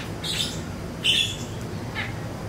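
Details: Siri-siri song for training songbirds: three brief, sharp chirps spaced about a second apart, the middle one loudest, over a low background hum.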